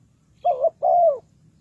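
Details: Single phrase from a spotted dove used as a trapping lure: a short wavering low coo immediately followed by a longer, smooth, slightly falling coo, over quiet low hum.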